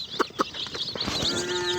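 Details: Yellow baby chickens cheep in a thin, high, overlapping chatter, with two louder, lower clucking notes near the start and a faint steady hum behind.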